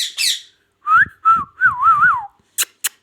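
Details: Indoor pet ring-necked parakeet from Pakistan: a harsh squawk, then a rising whistle, a flat whistle and a wavy warbled phrase, ending with two sharp clicks.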